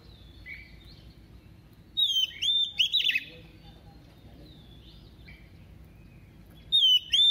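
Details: Decoy female white-rumped shama singing in a double voice to rouse males: short bursts of bright whistled notes with sharp chirps, separated by quiet gaps of several seconds.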